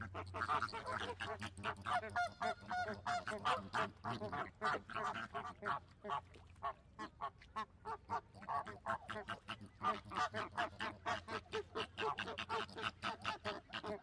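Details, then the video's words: A crowd of flamingos gives steady honking, with short nasal calls packed closely together and a low rumble underneath during the first seconds. "Flamingo Sounds | What does a flamingo sound like"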